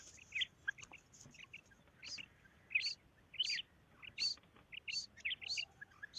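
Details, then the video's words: Calling female quail, a local recording: high, sharp chirped notes in quick irregular clusters, roughly one or two bursts per second, over a faint hiss of background noise. "Female Quail Calling karkari Maadi Ki Awaz"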